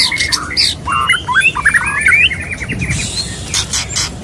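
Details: Male white-rumped shama calling to a female with a series of short upward-slurred whistles and chattering notes, followed by rough broadband bursts.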